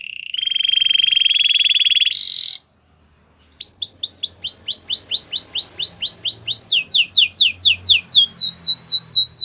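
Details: A white canary opens with a buzzy, rapid trill held for about two seconds and a brief higher burst. After a second of silence comes a long series of descending whistled swoops that later jumps to a higher pitch.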